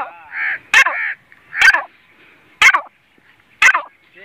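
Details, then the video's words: Grey francolin (teetar) kept by a hobbyist, Pakistan: harsh, buzzy notes near the middle-high range alternating with sharp broadband bursts, repeated roughly once a second in an even rhythm; faint background noise between calls. "Teetar ki boli | teetar voice | Gray francolin | teetar ki awaz"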